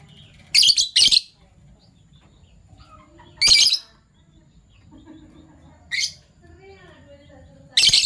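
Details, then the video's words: Fischer's lovebirds, PB Violet and Euwing Gold Opaline colour forms, chirping in the morning: loud, harsh, screechy bursts come in a double shriek, then single blasts spaced a few seconds apart, with faint soft chirps and quiet background between. "Lovebird Chirping Sounds"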